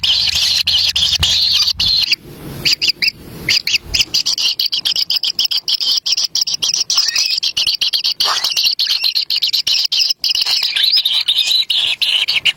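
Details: Young kingfishers at a wild nest, squabbling over a black lizard from their parent: a constant high buzzing, hissing chorus with clicks, plus a low rumble in the first few seconds.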